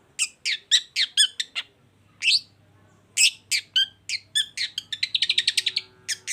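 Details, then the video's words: Long-tailed shrike, a caged songbird in Indonesia, singing varied scratchy chattering phrases with a short pause, then a rapid rattling trill of evenly spaced notes toward the end. "CENDET GACOR"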